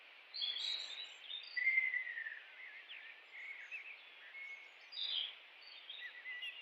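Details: A kingfisher in the wild gives a run of sharp, high chirps and short descending trills in scattered bursts, with a steady hiss of background noise.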